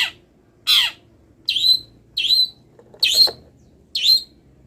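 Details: Moulting long-tailed shrike giving masteran song full of wild-bird imitations, eager to sing: six rasping, downward-sweeping notes, roughly one per second, harsh and high, against a quiet low hum.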